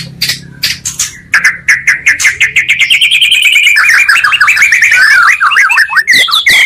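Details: Two top magpie-robin voices combined to provoke rival birds: rapid ticking notes lead into a fast run of warbled, rising and falling whistles that grows denser and louder toward the end.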